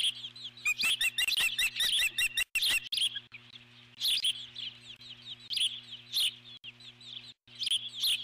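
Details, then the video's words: Eagle on its nest giving repeated alert calls as a large intruding bird flies past: rapid, high, squeaky chirped notes in dense bursts, with brief pauses and a steady low hum underneath. "Intruder At The Nest Eagle or Osprey ?"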